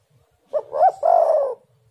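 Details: One spotted dove (tekukur) phrase used as a lure for singing: a short low note, an arched higher note, then a long gently falling coo lasting about half a second.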